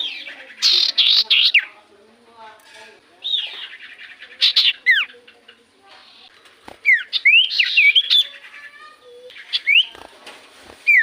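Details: Common iora singing persistently, used as a lure to get silent birds to respond: buzzy chattering bursts mixed with clear, downward-curving whistles, repeated in phrases every few seconds.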